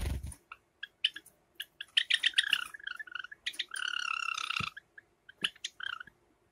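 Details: Two household Java sparrows, a light silver ino and a sakura variety, in summer: busy clusters of sharp tweets leading into a drawn-out buzzing churr, then more scattered chirps.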